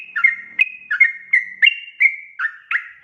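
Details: Lure song of a Yellow-vented bulbul (trucukan), meant to set wild birds singing: chortling whistled phrases spaced about every third of a second, mixing upslurred and level notes, over a quiet background.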